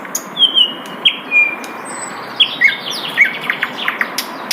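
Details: Asian brown flycatcher singing in the wild: thin high whistles, short sliding notes and quick chirps in an irregular, jumbled phrase, with faint insect-like buzzing in the background.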